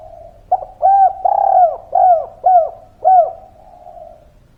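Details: Spotted dove, a local Javanese singer, giving a low, mellow cooing phrase: a soft opening coo, then five louder rounded coos about half a second apart, ending in a fading trailing note.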